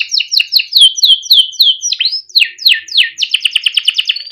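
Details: Timbrado canary, a small yellow bird, singing a melodic training song: a rapid run of repeated descending whistled notes, then sweeping slurs, ending in a fast pulsed trill.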